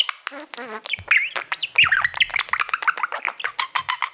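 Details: Pet male budgerigar singing to a shiny award plaque it treats as a mirror: fast chattering warble of clicks, squeaks and rapid modulated chirps, with a low harmonic croak near the start.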